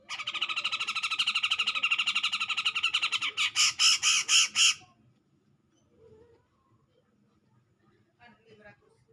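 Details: Grey-cheeked bulbul singing to draw out a rival: a dense, rapid rattling chatter for about three seconds, then five louder, separate harsh notes. Near silence follows, with a few faint sounds.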